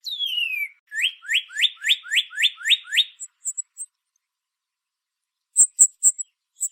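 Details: Northern cardinal opening with a long down-slurred whistle, then about seven rapid rising-falling whistled notes repeated at a steady pace, ending with scattered short high metallic chips.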